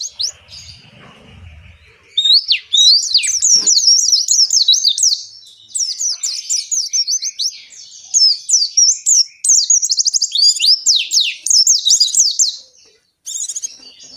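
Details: Oriental white-eye delivering a long ngalas song intended to make captive white-eyes sing. After a faint low rumble, dense high-pitched twittering whistles run in long phrases with brief pauses.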